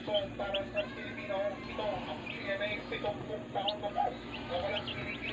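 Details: Healthy day-old baby chicks in a brooder, a flock peeping with short, bright chirps that rise and fall, overlapping in quick irregular bursts over a steady background hum.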